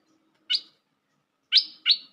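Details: Bulbul called merbah lekir, recorded as a lure for trapping: three sharp, slightly buzzy notes that slide downward, the first alone and the last two close together, over a faint low hum.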